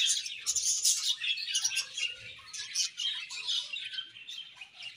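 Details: Budgie colony sounds: many birds twittering at once, busy high chirps and warbled notes layered into continuous chatter.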